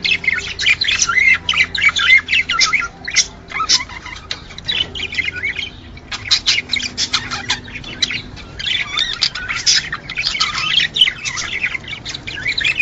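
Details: Budgerigars chatter nonstop in rapid, scratchy warbles and squawks, a sound used to stimulate mating and prompt the female to enter the nest.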